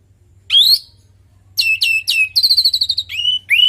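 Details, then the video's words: Orange-headed thrush singing to coax other birds into song: an upslurred whistle, a pause, then a fast series of bright repeated whistled notes ending in two rising slurs. "Pancingan burung anis merah|Agar nyaut Dan ikut ngeplong|"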